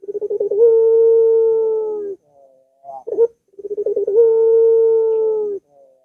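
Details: Two full song phrases of a Barbary dove, meant to prompt a reluctant bird to sing: each opens with fast stammering pulses that settle into a held, even coo lasting over a second, split by a brief sharp note.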